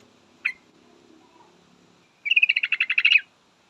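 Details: Calling to a male, a female yellow-vented bulbul gives one sharp single note, then after a pause a fast, evenly spaced trill of about twelve chattering notes.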